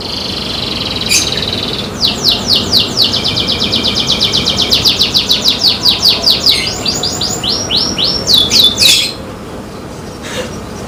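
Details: Canary in human care singing fast trills of downslurred whistled notes, about four a second, over a steady background hiss. The trills speed up into rapid rolling bursts before ending abruptly.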